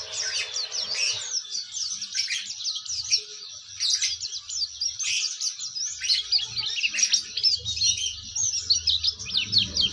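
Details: Oriental white-eye in full, melodious ngeriwik twitter: non-stop high chattering of quick rising and falling notes for ten seconds, over a faint low background hum.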